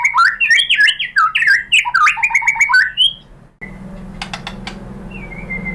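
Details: White-rumped shama lure to provoke singing: a fast jumble of varied whistles and chattering notes for three seconds, then quieter with a few sharp clicks and a soft falling whistle.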